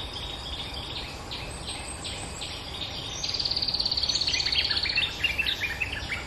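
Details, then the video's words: Bulbul lure call: scattered sharp chirps, then a fast, high, buzzy trill of rapidly repeated notes lasting about two seconds, followed by quick chirped phrases that step downward, all over a steady hiss of insects. "Suara pikat merbah lekir gacor"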